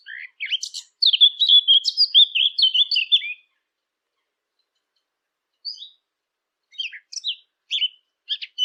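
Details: A Eurasian blackcap, recorded for hunting-caller devices, delivers a fast chattering warble for about three seconds. After a long silence, a few scattered sharp notes follow. Nothing else is audible.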